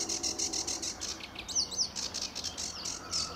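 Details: Sedge warbler in song at RSPB Fowlmere, early morning, July 2013: a brief burst of scratchy, chattering high notes with a quick twisting phrase in the middle.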